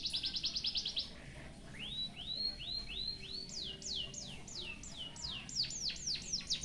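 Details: Tutoring song of a white-headed munia filled with canary phrases: opens with a fast pulsing trill, pauses, then a series of rising slurred whistles leads into crisp falling sweeps repeated several times a second.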